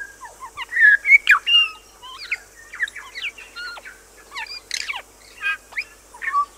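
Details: Bellbird song from Little Barrier Island, New Zealand: a rich, busy jumble of clear whistles, slurred and chiming notes delivered rapidly, loudest at the start, with other faint bird notes and steady high hiss behind.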